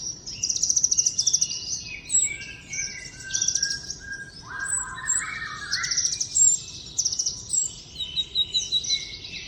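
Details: Wild common iora giving a varied high song of sweet warbled notes and chattering trills, one lower, falling whistled phrase midway, and quick repeated chips near the end; faint steady background noise.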